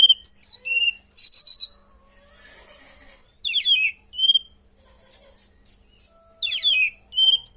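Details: Caged white-rumped shama with cililin-style song fill, delivering clear whistled notes of varied pitch in quick phrases, high sweet trills and fast twittering bursts, separated by short pauses.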